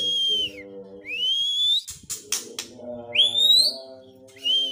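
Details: White-rumped shama singing clear whistled notes that sweep upward, with a gap of short broadband bursts in the middle and a steady low humming tone throughout.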